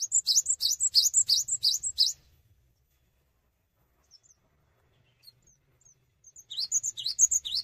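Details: Vigorous cinereous tit song given without hopping, to make other tits sing too; a two-second burst of repeated high, ringing rising phrases, a quiet pause with faint thin calls, then the fast phrases start again.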